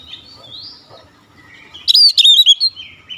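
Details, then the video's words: Oriental magpie-robin singing, meant to get silent birds singing again: a faint thin warble first, then a sudden loud burst of sharp whistled notes with quick downslurs, ending in softer trailing whistles. "OCEHAN PEMULIH KACER MACET BUNYI CEPAT GACOR"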